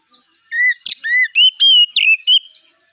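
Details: Oriental magpie-robin singing in the morning, played to lure other birds to reply: clear whistled notes around mid pitch, some slurred upward and others held flat, interspersed with a sharp buzzy click, in a varied phrase of about seven elements.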